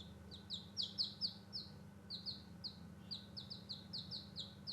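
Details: Newborn baby chicks playing outside, giving high, short downward-sliding peeps repeated in loose clusters, with a steady low hum underneath.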